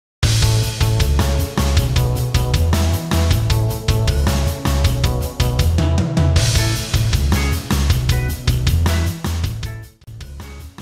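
Loud rock music with heavy drums, cymbals and bass, and no animal sound.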